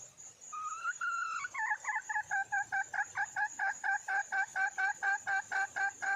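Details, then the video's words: Wild red junglefowl hen calling for a male: two drawn-out clear notes, then a fast run of about fifteen short two-toned clucks, roughly three per second, over a steady high insect whine. "le bruit d'une poule sauvage,เสียงไก่ป่าร้องหาถู่หาตัวผู้,ສຽງໄກ່ປ່າຮ້ອງຫາຄູ່ຮັກ, poj qaib qus see"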